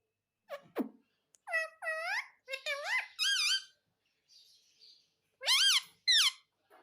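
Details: Captive pet parrot repeating "mummy" in a small room: a series of short, bright, nasal word-like phrases, several arching up and down, separated by brief pauses, with a few soft squeaks between them.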